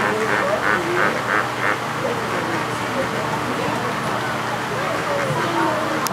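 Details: A flock of lesser flamingos at Animal Kingdom, Walt Disney World, Florida, filmed 3 July 2013, keeps up a dense, nasal, goose-like honking and gabbling chatter, with a person talking in the background.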